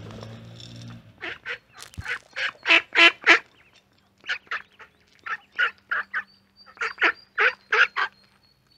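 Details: Mallard calling near a mic placed by corn: a quick burst of loud, raspy quacks, a brief pause, then further clustered quacks in short groups of two or three.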